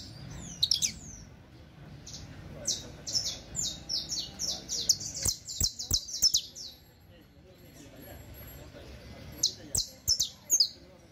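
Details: Saffron finch (canario criollo) song used for teaching other birds: rapid series of high, sharp descending chirps, some sliding notes, in bursts with short pauses and sharp clicks in between.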